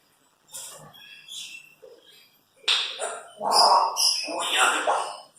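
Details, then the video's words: Pet Congo African grey parrots, a 4-year-old and a 9-year-old, chattering and talking together: short speech-like syllables, then a pause and a louder, faster run of word-like phrases with rough, voiced tones. "Parrot Party: Chaos & Chattering | Multiple Talking Parrots"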